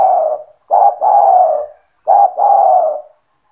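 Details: Captive spotted dove in full voice, kept to lure other doves into calling, gives low hollow coos: a short note then a longer drawn-out coo, the phrase starting again after a pause, with no other sounds.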